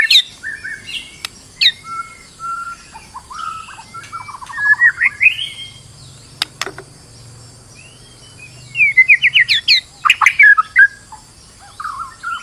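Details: Stressed white-rumped shama lure song for making another bird sing; scattered whistles and trilled phrases with sharp clicks between, a quiet stretch midway, then a fast burst of rising trills.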